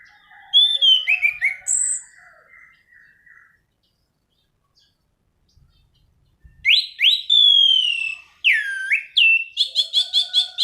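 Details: Anis cendana in loud, non-stop rolling song (gacor ngerol), used to lure and tutor birds: clear slurred whistles and warbled phrases, a three-second pause, then bright rising and falling whistles ending in rapid repeated notes.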